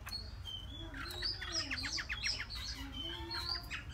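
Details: Three-month-old caged Chinese hwamei singing: a busy run of short chirped and slurred notes, some rapid downward sweeps, over a steady low hum.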